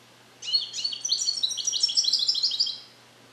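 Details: Young captive-bred goldfinch beginning to repeat taught Neapolitan passages, recorded indoors in a carrier: a single continuous phrase of quick, high, tinkling notes and metallic twitters lasting over two seconds.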